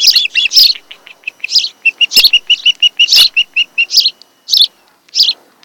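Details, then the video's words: Osprey at its Kent Island, Maryland nest, late July 2018, afternoon webcam audio: loud high whistles overlaid on a fast train of shorter, lower chirping notes, a busy excited chatter that trails off into a few spaced cries. "Osprey Nest"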